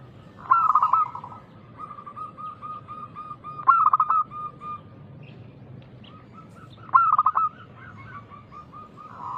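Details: Local zebra dove in energetic, loud song intended as a lure for other doves. Three pulsing coo phrases about three seconds apart, each trailing off into a line of mellow repeated cooing notes.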